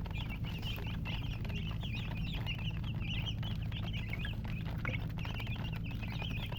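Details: Group of baby chicks peeping without pause, high bright chirps flicking up and down in pitch, steady and dense throughout, above a continuous low hum.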